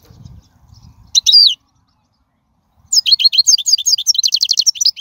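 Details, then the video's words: European goldfinch singing in the wild, used for training young birds: one brief twittered burst, a pause of over a second, then a lively rapid stream of high chirping and trilled notes. "من أقوى اغاني | طائر الحسون | البرية"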